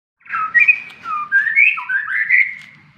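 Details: Caged white-rumped shama, known locally as murai batu, singing while set out to sun: a flowing string of rich, slurred whistles rising and falling in a mid-high register, several linked phrases over about three seconds.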